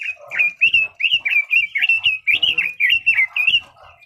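Red-billed leiothrix singing a fast, fluty warble of slurred rising and falling notes, about three per second, unbroken and bright, with faint low knocks beneath.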